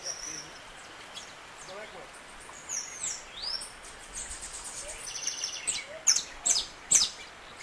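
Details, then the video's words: A saffron finch (Sicalis flaveola) sings high, sharp chips and short bright phrases, ending in the loud clicking snaps of its strong "estalo" song, over faint background hiss. "CANARIO DA TERRA CANTA E ENCANTA canto estalo"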